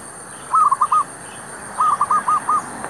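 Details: Zebra dove decoy bird calling near a shop area to lure wild doves: two quick bursts of short, hooting, evenly pitched notes, three and then five, against steady background hiss.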